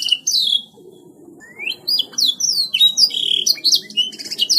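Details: Canary singing gacor, vigorously and without pause: fast, high, bright whistled sweeps and buzzy trills. The notes drop in pitch, with a short lull near the start before the song resumes, over a faint low background hum.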